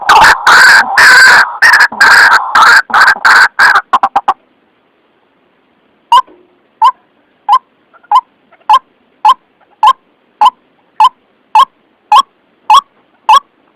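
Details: Lure call of the White-breasted waterhen for trapping: about four seconds of loud, harsh, rapid croaking, then a pause, then single short clipped notes repeated evenly roughly every half second.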